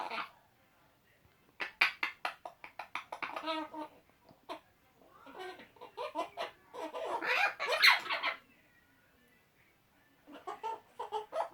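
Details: Pair of male Eclectus parrots chattering at each other indoors with silly noises; quick stuttering run of clucking, laugh-like notes, then a dense harsh burst and a few softer notes after a pause.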